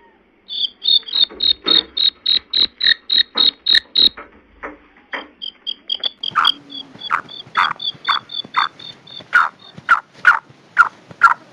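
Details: Black francolin (Francolinus francolinus), female call.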